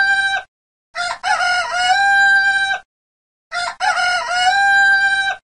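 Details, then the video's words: Red junglefowl giving repeated morning crows: the end of one crow, then two loud crows about two and a half seconds apart, each opening with a short broken note and finishing in a long level drawn-out call. "Gà Gáy tiếng gà gáy | tieng ga gay Hình Ảnh CON GÀ RỪNG gà gáy le té le"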